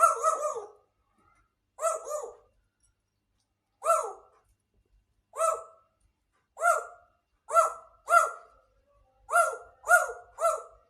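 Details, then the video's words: Grey parrot giving repeated short, harsh, bark-like calls in bursts of two or three, spaced by pauses of one to two seconds, in a quiet indoor setting. "grey parrot talking"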